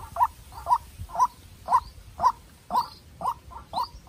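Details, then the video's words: A young decoy White-breasted waterhen calls against a wild rival: a steady run of short, harsh kwak notes, roughly two per second and evenly spaced, with fainter notes slipped in between. "Quốc Mồi Tơ Ra Trận Gặp Bổi Rừng Đấu Cực Căng"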